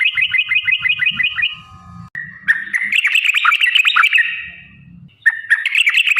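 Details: Sooty-headed bulbul song played to stimulate caged birds to sing: fast regular whistled note pairs, then a dense chattering warbled passage, a short gap, and another burst of bubbly notes, with faint low rumbling.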